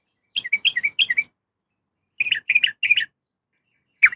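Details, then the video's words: Female yellow-vented bulbul calling to a male, giving short runs of four or five bright, bubbly notes separated by a silent gap, with a sharp single note at the end. "suara trucukan betina memanggil jantan"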